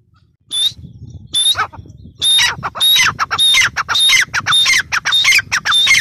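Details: Female teetar, the grey francolin, calling over low background rumble. After a few scattered opening notes, a steady series of shrill, scratchy phrases with whistled overtones follows at a brisk, even pace.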